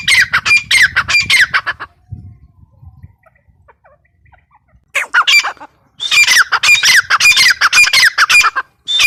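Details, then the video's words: Harsh repeated squawks from a female grey francolin, a rapid burst of notes, then a near-silent gap with faint low rustling, then more hurried squawking phrases. "gray francolin teetar awaz | female teetar sound"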